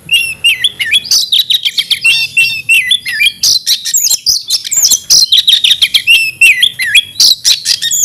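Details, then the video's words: Caged Oriental magpie-robin in Indonesia singing an aggressive fighting song: a dense, loud stream of sharp high whistles, rapid chirps and buzzy trills that rise and fall without pause. "kacer gacor tarung ngotot agresivitas"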